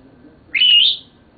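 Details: A seven-year-old male Senegal parrot, a pet reported as talking, gives a single loud, slightly rough high whistle that wavers and rises toward its end, lasting about half a second.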